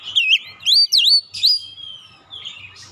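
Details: Oriental magpie-robin song played as a lure to get a stressed, untrained bird singing quickly: loud clear whistles sweeping up and down, some V-shaped, in quick bursts, then softer trailing notes. A faint low hum runs underneath.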